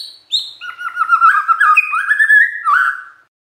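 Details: Magpie-robin song meant to make any magpie-robin hearing it respond at once: a continuous run of clear whistled notes, fluttering and warbling, climbing gradually in pitch before a final downward slur.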